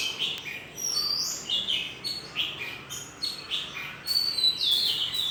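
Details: Cheerful twittering at the start of a new day: quick high chirps repeated roughly three or four times a second, each a short falling whistle, with a louder downslurred phrase near the end.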